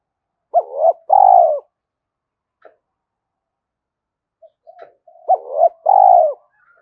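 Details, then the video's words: Spotted dove cooing to provoke a wild dove to coo quickly: two mellow, hollow coo phrases, each a brief broken note followed by a longer sustained coo, separated by about four seconds of quiet with faint soft notes. "cu gay kich boi nhanh noi gù mới nhất"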